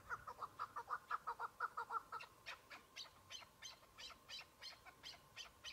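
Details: Chukar partridge, a single bird on patchy spring snow as the hunting season opens: an even run of mid-pitched chuk clucks, then higher, sharper chirping notes at the same quick rhythm.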